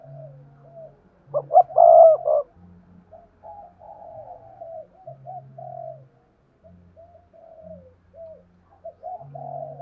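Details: Spotted dove calling as a decoy for wild doves, a loud burst of stacked coos near the start followed by many softer, lower-volume coos and intermittent low humming tones.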